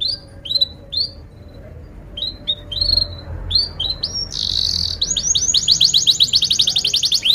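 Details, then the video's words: Atlantic canary lure song for training young canaries: separate rising high chirps at first, then a fast rolling trill that speeds into rapid repeated notes toward the end. "kenari gacor panjang Cuit Cuit EMOSI, Pancingan Kenari Paud Belajar Bunyi"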